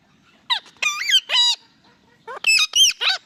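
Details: Indian ringneck parakeet, a talking parrot, uttering two rapid groups of loud, rich, nasal rising-and-falling notes, each group of three or four syllables, with a short pause between the groups.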